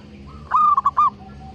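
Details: A single loud, stuttering, bubbling coo phrase from a local zebra dove with a broken, split voice, used to encourage silent, lazy birds to start singing. Faint background hum.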